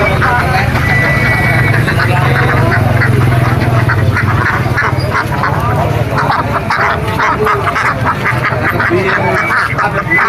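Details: Domestic ducks at an animal market: a dense crowd of harsh, nasal quacks in rapid, uneven bursts, many birds calling over one another, with steady market hubbub, people talking and vehicle rumble underneath.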